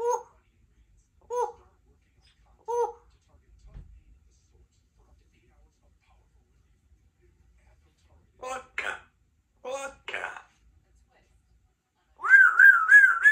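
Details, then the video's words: A 3-year-old female Congo African grey parrot, a pet in a country home, practises words and sounds: three short, even, speech-like syllables, a pause, choppy chattering phrases, and a drawn-out warbling vocalization at the end. "African Grey Talking Parrot while she practices her words and sounds"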